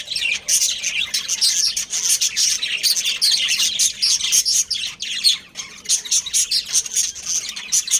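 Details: Pet budgerigar breeding pair in busy chatter: rapid strings of shrill chirps and buzzy warbling notes, pulsing in quick bursts throughout.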